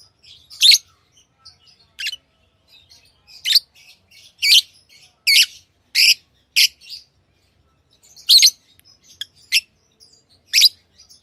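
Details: Tame pet lovebirds chirping: loud, harsh, high broadband chirps come every second or so, with softer twittering notes between them and no other sounds.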